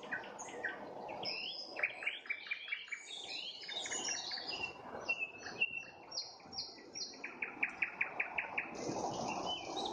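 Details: Nightingale at sunset: rolling warbled phrases, then a long, even run of clipped notes repeated about three times a second, closing with a high buzzy burst.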